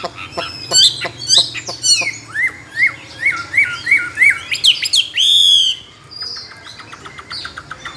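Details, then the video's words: Caged tame Chinese hwamei, good at competition singing: sharp clicks and chips, then a string of rising whistled slurs, a rough squawky buzz and soft fading notes. "Họa mi thuần nhiều giọng rừng,chim đấu hót tốt"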